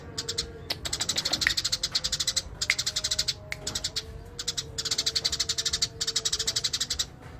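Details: Energetic Eurasian tree sparrow chatter in ngerol style: rapid chirps, about three per second, in repeated bursts with brief breaks, and a faint low tone in the background.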